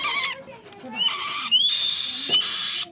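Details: Young black-shouldered kite giving harsh, hissing, wheezy screeches in bursts of about half a second to a second. A few thin whistled notes rise through the rasping sound.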